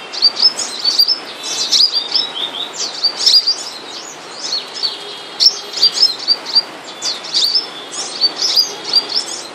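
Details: Moulting flowerpecker in captivity delivering bright, high twittering phrases. Short upslurred whistles and sharp chirps are repeated in clusters every second or so, with brief gaps.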